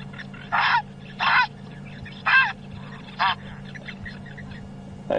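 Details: Grey heron calling near a riverbed drainage line at sunrise on 30 April, harsh hoarse croaks, four about a second apart and a fifth near the end, over a low vehicle engine hum.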